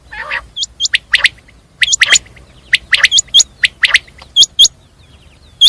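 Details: Common quail (batir) calling with repeated clipped high notes in pairs, among a busy mix of further sharp chirps and one low buzzy burst at the start.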